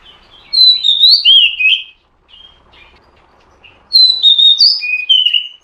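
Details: Calls of a female Oriental magpie-robin, used to excite a male into singing: two bright whistled phrases of rising and falling slurs, each over a second long, separated by a quiet gap with faint hiss.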